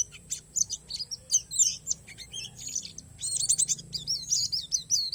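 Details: Pleci palas Borneo, an Oriental white-eye form from Borneo, singing a song stuffed with wild-learned phrases: dense high, thin chirps and twittering slurs in bursts, with a faint steady high tone running throughout.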